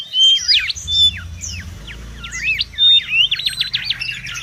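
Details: Mangrove whistler singing in the wild, a lure and tutor recording: scattered looping whistled notes with brief pure tones, ending in a rapid even trill of repeated swoops.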